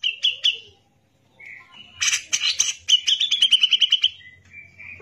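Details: Gacor cucak jenggot, a caged grey-cheeked bulbul recorded as a tutor for other birds: three quick chips, soft warbled notes, then a harsh chattering run that turns into a fast level trill and quiet closing whistles.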